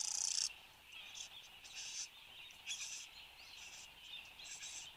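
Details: Satin bowerbird at its bower in Australia, morning of 10 January 2015, captured by a fixed camera: one loud rasping burst, then softer scratchy churrs and buzzes over a constant high insect-like drone.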